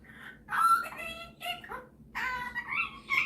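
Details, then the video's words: Kept indoors, a male Superb parrot shows off his mimicking with two bursts of nasal, speech-like harmonic syllables, the first rising and falling, the second ending on a high squeak. "Superb Parrot Malibu showing off his singing and mimicking skills"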